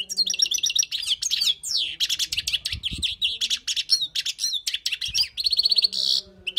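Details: Wild European goldfinch song meant for tutoring: dense, energetic twittering of quick slurred notes, rattling trills and a buzzy ending, almost without pause.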